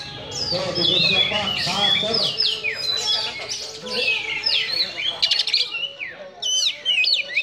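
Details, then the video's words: Oriental magpie-robin giving a harsh song meant to stir up emotion: dense run of scratchy, warbled, sliding phrases, some rasping clicks, over a low murmur of background noise. "Kacer Gacor Suara Kasar Ampuh Dongkrak Emosi | Magpie Robin Singing"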